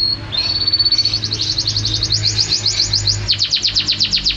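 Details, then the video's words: Canary singing a long, fast trill: a steady whistle breaking into rapid repeated notes, about four per second rising to many more, continuing unbroken to the end. "suara kicauan burung KENARI luar biasa juara"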